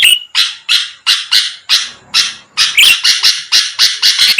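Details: Sooty-headed bulbul in full voice, meant to provoke rival birds into answering; grating bursts start slow, then speed into a dense run of rough notes toward the end.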